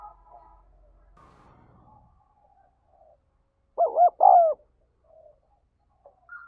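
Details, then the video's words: Coo call of a spotted dove kept for taming and used to excite decoy birds: after near silence, two strong throaty coos follow quickly one after the other, with faint short notes afterward. "Tiếng Chim Cu Gáy Thúc Gáy Gọi 2021"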